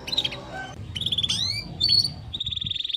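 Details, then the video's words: Timbrado canary melody in fragments: short whistled notes, an upward-curving sweep, a brief buzzy phrase and a closing steady rapid trill, with soft low background noise. "Canary Bird Singing Timbrado canary singing beautiful melody"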